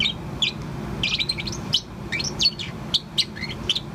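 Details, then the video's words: Young pet Bourke's parrot about four months old keeps chirping; dense run of high warbling chirps and twisting twitters in quick succession, with steady low background hum. "Chirp of Poh, the Bourke's Parrot. アキクサインコのポーのさえずり"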